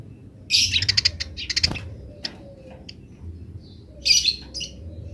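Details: Wild house sparrows answering: clustered harsh chirps in short bursts, scattered single notes, then one more chirping burst, over low background hum.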